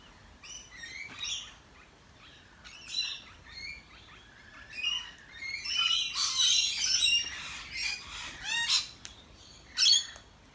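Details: Wild rainbow lorikeets in a backyard in Australia, chattering while eating: overlapping harsh screeches and squeaky chirps from several birds, growing busier and louder midway, with softer low whistled tones underneath.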